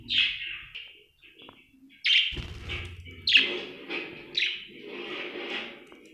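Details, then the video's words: Happy budgerigar giving sharp chirps, each starting abruptly and trailing into a buzzy warble, spaced about a second apart, with a brief low rumble after the first pause. "Happy budgie chirping sound"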